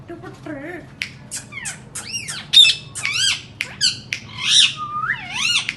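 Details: Indian ringneck parakeet heard indoors, described as talking and mimicking: a brief low, voice-like wavering sound opens, followed by harsh rising squawks and shrieks in uneven bursts.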